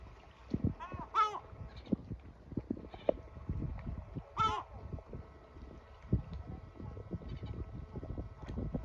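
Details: Male yellow-legged gull screeching at his chicks after feeding them, urging them into shelter to rest; two harsh, harmonic, downslurred cries, with soft scuffling and tapping throughout.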